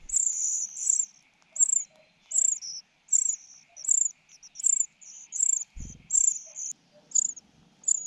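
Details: A common cuckoo chick, reddest and widest-mouthed, begs as a foster mother bird feeds it; high, thin squeaky notes repeat in clusters about every half second, with a brief low knock near the end.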